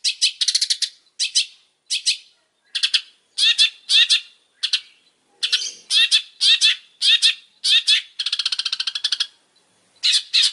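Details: Long-tailed shrike singing vigorously: a long sequence of rasping, buzzy bursts with short pauses between them, including a fast stuttering trill near the end, then a final harsh note.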